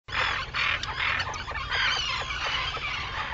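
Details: Arctic terns calling at sunrise on Seal Island, Maine, on 11 June 2018: harsh, rasping bursts repeated in quick succession, several birds overlapping, with a steady low rumble of wind or surf beneath.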